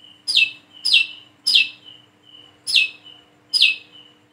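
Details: One plain-throated sunbird, local name wiceh, practising calls: loud high notes that drop sharply in pitch, each trailed by a thin steady whistle, about one every half second to second.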